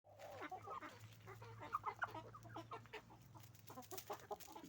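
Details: Roosters and hens on a chicken farm making noise: a dense flock chorus of short repeated clucks and squawks overlapping continuously, with a steady low hum running underneath.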